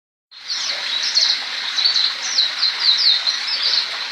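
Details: Black-throated canary, likely a young bird learning to roll, gives a fast, continuous, high-pitched warble of rolling trills and quick down-slurred notes without pause.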